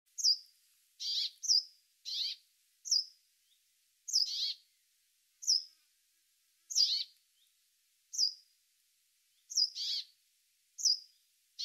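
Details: Brambling, a winter visitor to the UK: short, high chirping calls, some paired with a harsher buzzy note, repeated every second or so against a quiet background.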